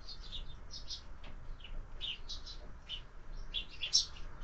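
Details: Sparrows feeding at a window feeder during breakfast give short, clipped chirps in scattered bursts of two or three, with gaps between, over faint background hum.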